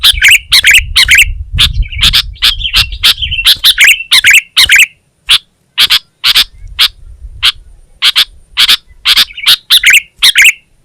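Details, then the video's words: Sooty-headed bulbul (kutilang), Indonesian masteran recording of gacor singing: short fluty warbled phrases woven among rapid clicking chips, then mostly sharp repeated ticks with a faint low rumble underneath. "Suara Burung Kutilang Gacor"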